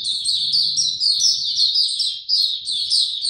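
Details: Caged white-eye opening song, 29 April 2022, no health supplements given: an intense, nonstop high chatter of quick slurred chirps and trills, with a brief dip before the bright twittering continues.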